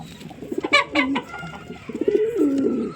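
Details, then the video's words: A pigeon's short throaty coo, then a longer rolling, rising-and-falling one, with a couple of sharp clicks between them. "Pigeon Sound Effect"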